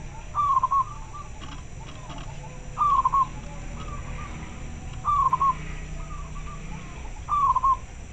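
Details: Local zebra dove calling very clearly in response to other birds: four bright, wavering cooing phrases spaced about two seconds apart, softer answering notes between them, low hum underneath.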